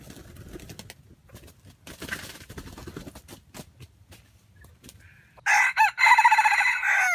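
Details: After several seconds of soft clicks and rustling, a wild junglefowl kept as trap bait gives a loud, harsh crow with a strained, broken ending.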